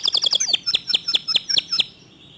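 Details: Local canary with a fast, tight, clear song: quick high whistled notes in a rapid run, then slowing to about four louder spaced chips before falling quiet.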